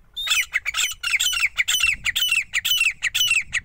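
Grey francolin giving loud, harsh, shrill notes, each sliding downward, repeated about twice a second in a fast, insistent series.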